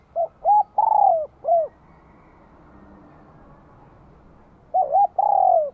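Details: Spotted dove from Vietnam, a "giọng chuông" (bell-voiced) bird singing to welcome spring 2023: two phrases of cooing notes, short hooked coos then a long falling drawn-out coo and a final hooked note, separated by a quiet pause.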